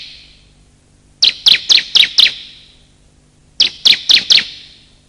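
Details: Bar-winged prinia, male and female calls played to lure wild birds and prompt silent ones: two short groups of five and four loud, clipped high chirps separated by over a second of quiet.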